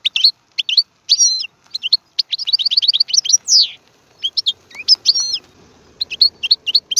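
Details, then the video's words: European goldfinch singing, offered to teach young birds their song: rapid, high twittering with quick repeated chirps, a buzzy descending slur around the middle, then further tinkling phrases over a faint background hiss. "اسمع المقنين واعطي رايك فيه,افضل تغريد لتعليم الفراخ"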